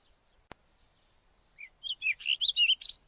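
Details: White-tailed wheatear calling: after a single sharp click and quiet start, a quick run of clear, varied chirps and short whistled notes of shifting pitch, delivered in a rapid, slightly uneven burst over the final second and a half.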